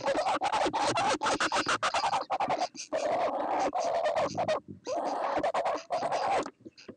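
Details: Laughing kookaburra in Australia giving a loud, harsh chuckling laugh: rapid repeated raucous bursts running almost continuously, broken by a few short pauses near the middle and end.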